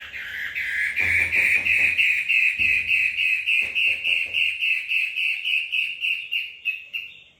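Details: Female shrike singing: a long run of bright, evenly spaced chirping notes, roughly three to four per second, holding a steady high pitch and slowly fading toward the end, with a few low thumps early on.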